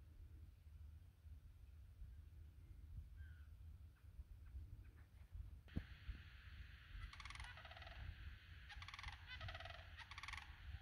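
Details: Two Sandhill cranes near a backyard give loud, rolling, rattling calls in bursts over the last half, above a steady low rumble of wind or distant traffic.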